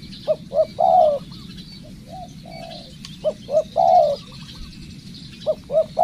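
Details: Training decoy spotted dove repeats its phrase three times: two quick short coos leading into a longer sustained coo, with a few softer coos between phrases and light background chirping of other small birds.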